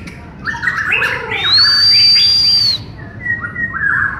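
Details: White-rumped shama of the Borneo form (murai batu Borneo) during a joint training session: choppy phrases of mid-pitched notes, then a long pure high whistle held about a second, followed by softer clipped notes.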